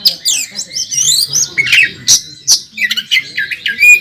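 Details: Contest Oriental magpie-robin, national first-place champion, singing hard in a fighting display on the track: swooping whistled phrases, then sharp separated chips and clicks with short gaps, ending in a thin steady whistle.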